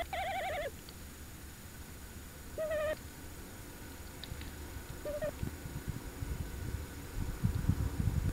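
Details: Tawny owl at De Mortel, 27 January 2021 at night during a short visit, on a live camera: three wavering hoots that grow shorter, followed by rustling and low bumping noise.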